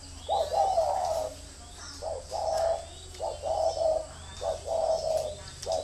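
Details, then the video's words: Spotted dove kept as a decoy, calling in a series of mellow low coos with short lead-in notes, faint chirps of other birds and a constant high-pitched hum behind. "Thổ mổ còi - Còi coi thường Thổ"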